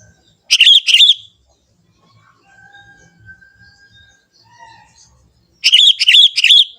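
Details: Sooty-headed Bulbul, a young wild bird from the forest, singing energetically: a pair of bubbly notes, a quiet gap with faint distant sounds, then a rapid string of four warbling notes.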